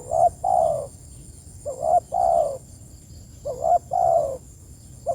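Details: Spotted dove calling its companions: soft low coos in paired phrases, a short hooked note then a longer falling note, repeated about every two seconds, over a steady faint high-pitched whine.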